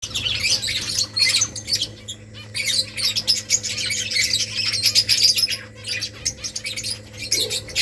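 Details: Colony of finches building nests, giving a busy chorus of high, dense chirps and squeaky twitters that overlap almost without pause, with a steady low hum beneath.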